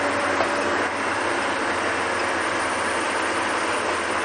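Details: Steady hissing engine and road noise from a sunset safari vehicle on 17 August 2020, with no animal sounds.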